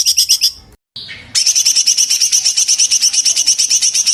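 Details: Sooty-headed bulbul, known locally as cucak cungkok, in a 2023 master recording for training songbirds, with rapid close-set bursts and pauses; a short chattering phrase, a brief break, then a fast, harsh, regularly repeated note, about three per second.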